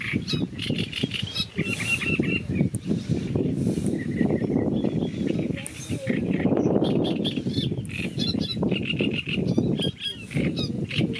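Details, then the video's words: A Great reed warbler sings harsh, croaking repeated phrases in quick bursts over a steady low rumble of background noise. "canto del carricero tordal"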